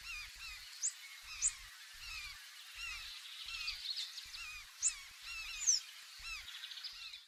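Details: Large-billed tern (Phaetusa simplex), recorded from a canoe rocking on the waves: many birds call at once in a dense, overlapping chorus of nasal, goose-like honks, with soft rhythmic thumps of water slapping the boat.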